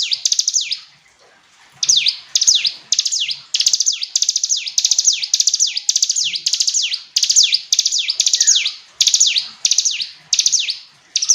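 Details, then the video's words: A hill prinia delivers a long series of high, sharp downslurred notes, each falling steeply, repeated roughly twice a second with one short pause near the start; clean, bright singing with little else audible. "Ciblek gunung istimewa, hitungan detik dijamin langsung bunyi ‼️ jernih"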